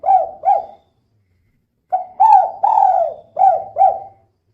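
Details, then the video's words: Lively female spotted dove giving her call as a lure to make other birds sing: a pair of low, rounded coos, a brief gap, then five more coos in a rhythmic run, clear and close with no other sounds. "Suara Burung Tekukur Betina Gacor Kuk 2 Untuk Pancingan Biar Cepat Bunyi"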